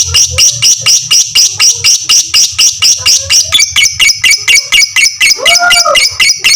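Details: Lovebird of fighter type in long ngekek, recorded as a tutor to train other lovebirds: rapid, even string of shrill chattering notes, ending with a lower, drawn-out wavering squawk.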